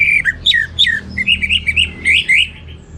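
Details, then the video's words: Orange-headed thrush, or anis merah, in lively teler-style song: a quick string of loud, clear whistled notes, some swooping down and others rising, about eight in three seconds. "Suara Gacor Burung Anis Merah Teler Materi Melimpah"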